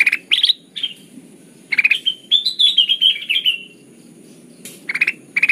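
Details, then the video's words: Kutilang emas, a golden bulbul, in crystal-clear lure song for trapping birds. Bright chirp bursts frame a longer flowing whistled phrase that wavers and gently falls in pitch, then chirping resumes. "suara burung kutilang emas pikat terbaru 2023 || Suara pikat kutilang emas gacor"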